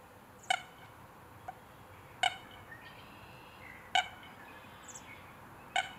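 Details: American coot (Fulica americana) in Calgary, Alberta, in spring or summer, giving short, harsh clucking notes, one roughly every two seconds, with faint high chirps from other birds in the background.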